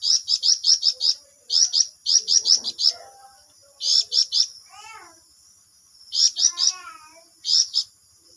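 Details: Flamboyan singing 'ngerol', dense rapid runs of piercing high chirps repeated in clusters of four to six, with softer lower warbled calls from another bird between bursts and a steady thin background tone.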